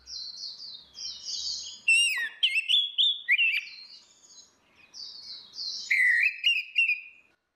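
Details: Female versus male orange-headed thrush in ngeplong style, used as a lure for a bird that has stopped singing. Rapid varied whistled phrases slide and warble between high notes, with a short pause before another burst, no other sounds.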